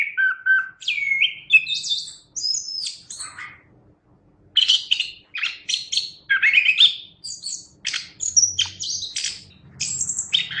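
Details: Chestnut-capped thrush singing energetically, a tutor recording for keeping birds: clear whistled phrases and rapid twittering notes delivered in bursts, with a short silent gap before a second run of mixed whistles and chatter. A soft low hum in the background.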